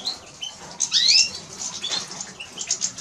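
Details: A Eurasian siskin gives a sharp rising wheeze near the start, then continues with rapid, thin twittering notes.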